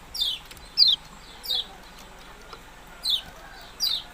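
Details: Yellow-bellied prinia giving sharp, high chirps that sweep steeply downward, five separated notes spaced roughly every 0.7 seconds over quiet background hiss.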